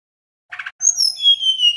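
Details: Male Little pied flycatcher giving 'nyeklek' lure song to make other birds respond. A soft, rough chatter leads into long, high, clear whistles that slide slowly downward and overlap.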